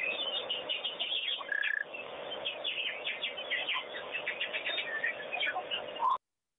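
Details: Wattled starlings bathing at a pond, giving a busy jumble of short chirps, whistles and harsh notes, with a brief clear whistled note near the start and wing flutters or splashing throughout.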